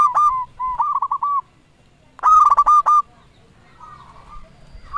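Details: Local zebra dove used as a lure to make rivals respond: two short stuttering coo phrases, a pause, then a loud ticking burst rolling into a purred trill, followed by fainter murmuring notes.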